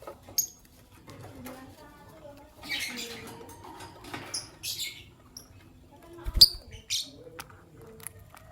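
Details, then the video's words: White albino and pastel green Fischer's lovebirds in the morning give buzzy, rasping chatter and high squeaky chirps, grouped in uneven bursts, with one piercing shriek and a low thump near the end. "Lovebird Chirping Sounds - White Albino with Pastel Green Fischer's"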